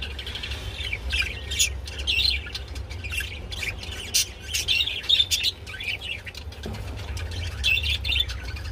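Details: Budgies while mating utter spaced warbling phrases with curved whistled slides and sharp clicks, separated by brief pauses, over a faint steady hum.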